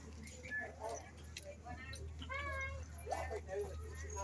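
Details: A talking African grey parrot at a zoo, which earlier said "hello", whistled and said "come on", gives short, speech-like phrases with clear, high voiced syllables over human chatter and a steady low hum.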